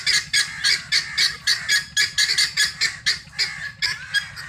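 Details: Harsh, scratchy chattering from helmeted guineafowl ranging free while looking for food, delivered as quick, irregular grating notes about four per second, steady in loudness over a low hum.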